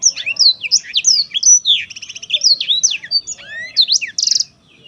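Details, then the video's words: Black-throated canary in vigorous song, quick sweeping whistles mixed with dry buzzy trills, closing on a harsh rattle before falling silent. "kicau merdu siBLACKTHROAT"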